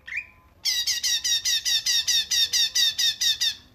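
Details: Cungkok song, a dense pattern used for tutoring songbirds: a brief rising call, then a steady run of about fourteen high, buzzy notes repeated roughly four per second.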